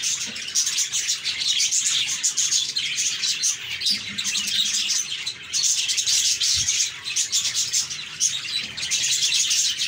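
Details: Calm, cheerful budgie flock chirping, constant high warbling chatter that dips briefly in loudness midway, with a faint low knock partway through.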